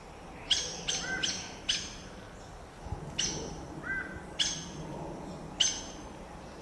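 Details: Saffron toucanet giving sharp, clipped high notes about once a second, about eight in all, with a few short whistled downslurred notes between them over a steady faint background hiss.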